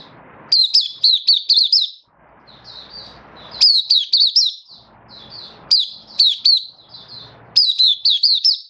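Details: Malaysian white-eye singing happily, Singapore, 20 March 2023, warm sunny and stable weather: repeated bursts of five or six loud, high, sharp chirps, each followed by a quieter warble and faint low background noise.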